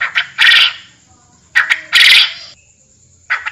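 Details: Forest quail call: a pair of quick clicky notes leading into a loud, harsh, scratchy burst, heard twice about one and a half seconds apart, with a faint steady high hum.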